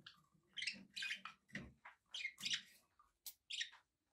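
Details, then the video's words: Pet budgies chatter with scratchy chirps and warbled squeaks over a soft, low murmuring background. "relaxing budgie sounds for your birds"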